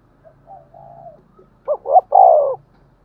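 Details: Spotted dove coo used to stir other doves into calling: soft faint murmured notes, then a clear phrase of two short hoots and a long, falling, mellow coo.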